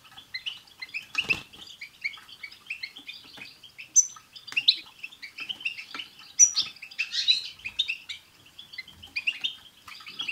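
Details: Group song of European goldfinches played to make a pet goldfinch sing; busy twittering with occasional piercing high notes and a short rustling burst early on.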